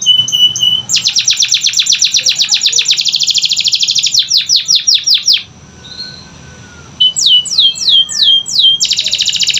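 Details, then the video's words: Canary song used as a lure to get lazy, quiet canaries singing: a high whistled note, then a fast dense buzzy trill, a run of sharp downslurred notes, a brief pause, and more slurred notes ending in another rapid trill. "Pancingan Kenari Malas Bunyi‼️Dengar Langsung Nyaut Gacor Dor"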